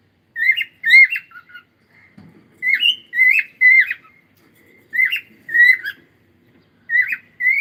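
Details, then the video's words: Cockatiel song made of bright whistled notes with quick upward slurs and wavering trills, delivered in clusters of two or three about every second, with a faint low rustle in the background. "Cute Cockatiel singing and sound"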